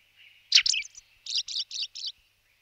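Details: Blue rock thrush phrase: a loud burst of quick tumbling notes, then four buzzy, evenly spaced syllables in a row, with a faint steady tone underneath.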